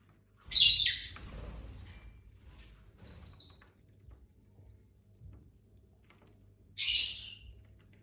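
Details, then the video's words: Pet lovebirds from a household flock of six, eating and singing: a loud shrill squeaky chirp with rustling behind it, a softer double chirp a few seconds later, then another piercing chirp near the end. "Bird sounds for lonely lovebirds (Eating, Singing & Chirping Sounds)"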